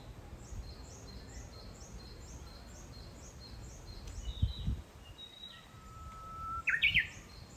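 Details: Kyoto's Kitayama forest in fresh green, June 2022: a Japanese bush warbler gives one long pure whistled note followed by a bright, jerky rising phrase. Constant high rhythmic chirping and a couple of low knocks are also audible.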